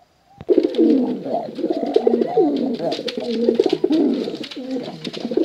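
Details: Dense, loud cooing of male and female pigeons, many rolling throaty notes running together without pause, with crackly clicks over the top.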